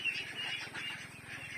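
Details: Domestic ducklings 25 days old make a dense, continuous chorus of high, thin peeps that overlap without pause, with a soft low hum underneath.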